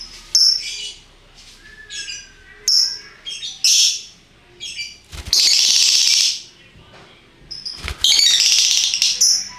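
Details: Lovebirds in various colours calling ngekek style: short high squeaks broken by pauses, building to long harsh, shrill chattering bursts, with sharp clicks between phrases.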